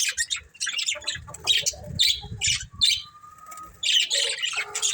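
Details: Breeding pair of budgerigars giving scratchy squawks and short chirped bursts, one held thin whistled note partway through, and soft low knocks between calls.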